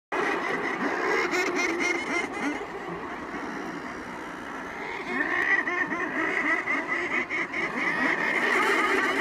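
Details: Close-up din of a murre colony on Coats Island, Nunavut: many murres growling and croaking together in dense, unbroken, harsh overlapping calls that swell louder in the second half.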